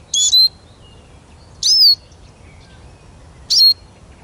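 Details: Eurasian siskin giving three high, sharp calls, the first a quick double note, each sliding down in pitch, spaced about two seconds apart over a quiet background.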